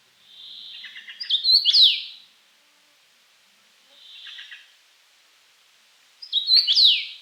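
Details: Common rosefinch song: two loud whistled phrases about five seconds apart, each a brief run of slurred notes ending in a swooping downward note, with softer chirps from another bird between them.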